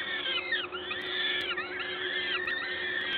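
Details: Peregrine falcons at a nest in Gdańsk, Poland, 14 May 2022, as an adult feeds. Continuous overlapping wailing calls dip and rise over a low hum.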